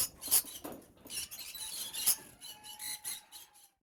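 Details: High, thin squeaks and chirps from adult lovebirds in an aviary with peach-faced, masked and Fisher's pairs, repeated irregularly, with a faint steady whistle-like tone running underneath toward the end.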